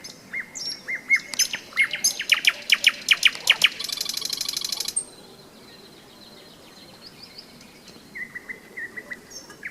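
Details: Nightingale singing on a May day in thunderstorm season, during a rest stop on a hike along the Seversky Donets river. Rapid repeated whistled notes, then a dense buzzy trill, then quieter scattered high whistles.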